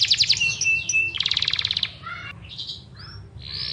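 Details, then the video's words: Continuous song of a Yorkshire canary, a cage bird sung to train competition and house birds: quick repeated notes, a rapid rattling trill near one second, then softer chirps and whistles over a faint low hum. "Yorkshire Gacor Panjang cocok buat pancingan dan masteran burung lomba"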